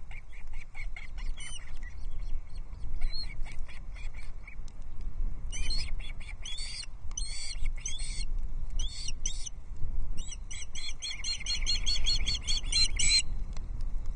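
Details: A Loch Arkaig Osprey nest on 13 June 2024 holds three chicks competing for trout. Bursts of shrill chirps start and stop irregularly between quieter stretches over steady low rumble.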